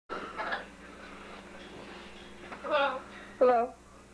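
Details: A pet blue-and-gold macaw indoors during the January 1996 blizzard in Maryland, USA, known to talk and burp, gives three short, strained, speech-like bursts, the last two harsh and wavering, while a person talks softly in a small room.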